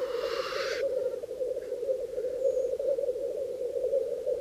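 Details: Black grouse cocks at a spring lek in Bažu bog, Slitere National Park, gathered to defend small display territories. A short, loud hissing rush opens over a continuous low bubbling drone that carries on unbroken.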